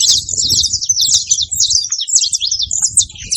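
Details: Free-living saffron finches in the wild: a continuous, busy chatter of high, sharp, slurred chirps, lively and without pauses, over soft low-pitched background noise.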